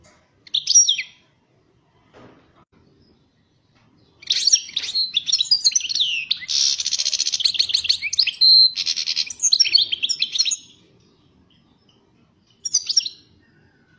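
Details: European goldfinch, said to be 'pyromeni' (fired up), singing a long rapid twittering run of high chirps, buzzy trills and one held whistle, lasting about six seconds, framed by short isolated call notes.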